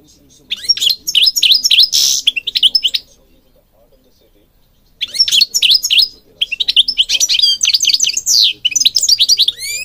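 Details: Moroccan European goldfinch song meant to stimulate and train birds: two long runs of fast liquid twitters and buzzy trills, split by a silent gap near the middle.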